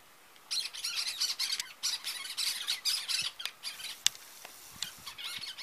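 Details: A pair of Cactus Parakeets (Eupsittula cactorum) give harsh, grating squawks in rapid bursts for about three seconds, then scattered shorter screeches as the chatter fades.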